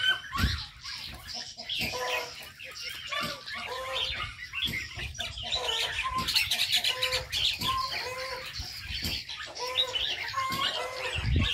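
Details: Aviary birds in full chorus: a steady wash of high chirping with a repeated short mid-pitched whistled note every second or so, plus occasional low thumps.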